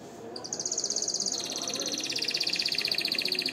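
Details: Canary singing for training and to excite hens for breeding: a long, very high, rapid rolling trill of evenly repeated notes that drops slightly in pitch partway through and continues steadily to the end, over faint background hum.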